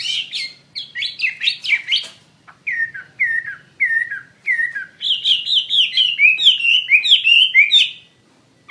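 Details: Chinese hwamei (wambi mandarin) singing actively: descending whistled notes, a series of slurred downward whistles spaced about half a second apart, then a fast rising-and-falling whistled run.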